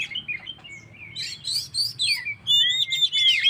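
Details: Oriental magpie-robin singing 'gacor', a song used to stir stressed birds: soft chirps build into buzzy bursts, then clear, repeated looping whistles.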